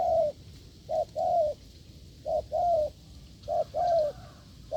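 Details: A wild spotted dove coos firmly at a decoy. Four low paired phrases come at about one-second spacing, each a short hoot running into a longer coo that slides slightly downward.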